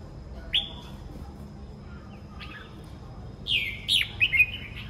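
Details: Morning song of a red-whiskered bulbul: a lone sharp whistled note, a soft slurred note, then a quick, lively run of warbling, rising and falling whistles near the end, with a thin constant tone behind.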